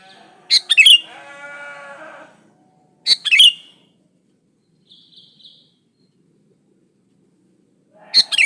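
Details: Sooty-headed bulbul singing, used to lure other bulbuls into song; quick bubbly whistled phrases about every three seconds, the first trailed by a lower drawn-out droning tone, with a soft faint twitter between.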